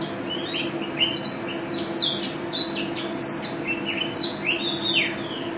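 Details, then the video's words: National champion mountain white-eye in gacor song: lively bursts of sharp high chirps mixed with whistled down-slurs, fast and irregular, with a low constant hum behind. "Pleci Juara 1 Nasional pleci Gacor juara nasional teler gacor ropel pleci"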